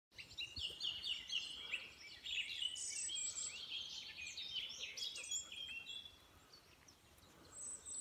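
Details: Bird song on the west coast of Denmark: a dense chorus of twittering, chirping phrases between high notes, several birds overlapping, with steady background noise of an open outdoor setting.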